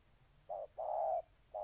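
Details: Ninh Thuận spotted dove, Vietnam: three soft low coos, a short note, a longer drawn-out one, then another short note. Faint high whistles sound in the background.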